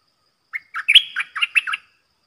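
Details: A red-whiskered bulbul used as a decoy and as a song model for young birds gives a rapid phrase of six clipped, warbled notes with a sliding whistled middle, clean and without background noise.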